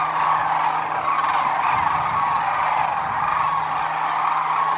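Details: Sandhill cranes wintering in southeastern Arizona at Whitewater Draw Wildlife Area, thousands flying off in the morning; thick overlapping chorus of rolling bugled calls, steady and loud, a brief low rumble midway and a low hum beneath.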